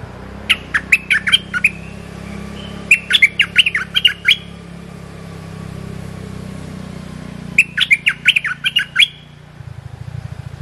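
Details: A cream-vented bulbul repeats its brief training song for young or silent birds three times, each a rapid string of bubbly, gurgling notes. A steady low hum runs underneath, and quick mechanical clicking comes at the end.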